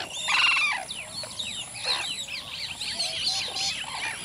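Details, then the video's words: Sarus crane courtship display calls: one loud, brassy trumpeting note, close to distant, followed by a busy chorus of high, chirping and whistled calls from other birds. "Sarus Crane. Courtship Display Calls"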